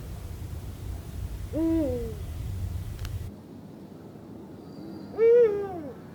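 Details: A pair of Eurasian eagle-owls (Bubo bubo) at Sihwa wetland, South Korea, in autumn duet, exchanging two short, full, downward-sliding hoots; the calls are male–female communication, the male's deep baritone and the female's higher.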